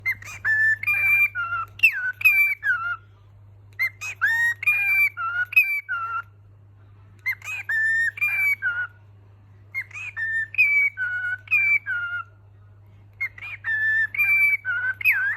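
A cockatiel whistles the same short, tuneful phrase again and again, with pauses between repeats.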